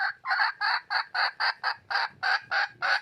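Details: Red junglefowl hen calling for a male: a steady series of about eleven harsh, clucking notes, each short and broad, repeated roughly three to four times per second.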